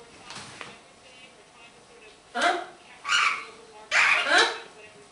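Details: A green-winged macaw, described as a happy bird, chats and laughs a little: three harsh, broadband squawking bursts about a second apart, the last a longer doubled chatter, after faint murmuring at the start.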